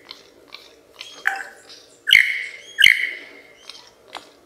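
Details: Lyrebird, the mimic bird, gives loud, sharp-edged, ringing harmonic notes twice about 0.7 seconds apart, each starting with a click and then trailing off. Softer scattered chirps come between them over a steady low hum.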